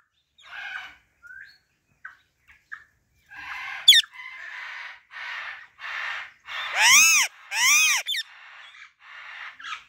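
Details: Natural calls of a female Alexandrine parakeet: a run of hoarse, rasping squawks building to loud, ringing, harmonic screeches that rise and fall, two especially strong near the end, separated by short pauses.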